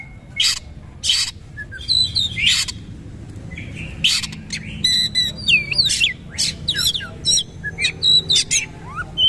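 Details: Oriental magpie-robin singing in the powerful 'nembak' bowing style, a rapid, forceful song: harsh broadband bursts alternating with sharp high whistles and quick rising and falling notes, delivered in loud clustered phrases.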